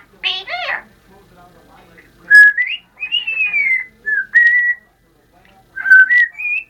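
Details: A female pet Congo African grey parrot gives a brief raspy, voice-like phrase, then a run of clear whistles, some rising and some falling, over about five seconds.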